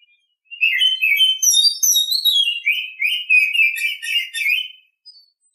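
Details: An Oriental Magpie-Robin sings in the morning, one unbroken phrase of rich whistled notes that climb then fall, ending in a series of fast buzzy, scratchy chirps before stopping.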